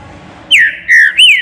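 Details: Caged green-winged saltator on a flight stand giving three rich whistled notes in quick succession, the first and last arching up then down, the middle one steady and drawn out.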